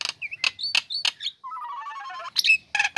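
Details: Loud song from a caged female Nias hill myna just uncovered, used to stir lazy birds into singing; clicks with swooping whistles, a low quavering warble lasting about a second, then sharp chattering notes.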